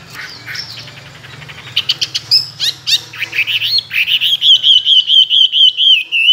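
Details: Chinese hwamei kept caged for two years, a tame mimic of many forest sounds, gives scattered high chips over a low hum, then settles into a fast rhythmic series of clear looping whistles, several per second.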